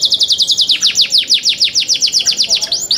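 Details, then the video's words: Song of young canaries: a continuous fast series of high, sharply descending whistled notes, roughly seven per second, with a brief rising note at the end. "MEDIOUS SONG OF YOUNG CANARIES"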